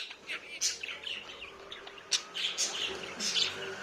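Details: Talking pet budgerigar giving scattered short, bright chirps and brief scratchy warbles, with a louder sharp tweet near the middle and quiet gaps between notes.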